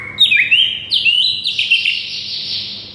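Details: White-rumped shama song meant to stir a silent shama into singing: a dense, continuous stream of high whistled and slurred notes, stepping upward in pitch and fading toward the end.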